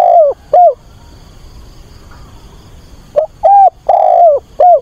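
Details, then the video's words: Caged decoy spotted dove calling for a mate to lure wild doves: two falling coos, a quiet gap of over two seconds, then a rapid run of four mellow, downslurred coos. "Cu mồi gáy gọi tìm bạn, giọng bổi kích thích bổi lỡ"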